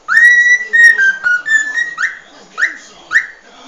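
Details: Long level whistle from a cockatiel stepping down in pitch in stages, followed by three evenly spaced upswept whistled notes, as part of the species' original song, with low-level hum in the background.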